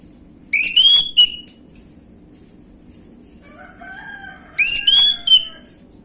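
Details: Lure song of an orange-headed thrush in the gamblingan style: two loud rising whistled phrases about four seconds apart, each ending in a short note, with softer lower warbling between them.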